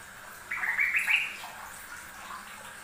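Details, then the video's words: Yellow-vented bulbul song from a master recording of a bird that sings often: a single bubbly, liquid warbled phrase of about one second, rising and falling at mid-high pitch, over faint steady background hiss. "kicau burung trucuk rajin bunyi"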